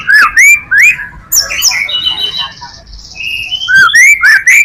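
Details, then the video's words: Lure song of a white-rumped shama, loud and near: upslurred whistles, a sustained high steady tone, then more rising whistled phrases in quick succession. "Murai batu full materi,cocok buat pancingan murai batu lainnya"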